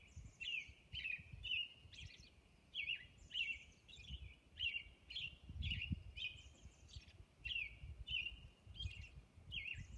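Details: Robin singing at dawn on Orcas Island: a steady run of short, clear caroling phrases, each a warbled whistle with a high squeaky edge, about two per second, over a soft low rumble of background noise.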